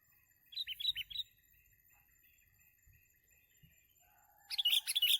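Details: Sooty-headed bulbul, sung for bird-trapping lure: a quick run of three or four bright chirped notes, a long near-silent gap with a faint steady whine, then a dense burst of sharp high twittering at the end.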